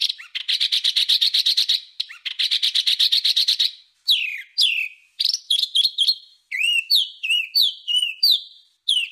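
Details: Bird giving harsh 'masteran kasar' training song for pet and contest birds: two long rapid buzzy trills of repeated notes, then sharp downward-sweeping whistles and clipped chirps in quick series.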